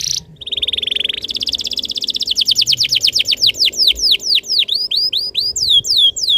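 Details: Canary tutor song played to prompt other canaries to sing: a short high note, then a fast buzzy trill that slows into rapid downward-sweeping whistles repeated several times a second, bright and loud throughout.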